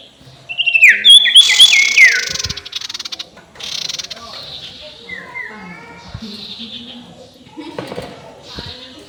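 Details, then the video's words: A spotted owlet's ngekek call, played to rile rival birds: loud harsh cackling chatter with rasping screeches for two seconds, followed by quieter scratchy calls and a brief whistled note. "SUARA NGEKEK SIRTU BIKIN LAWAN EMOSI"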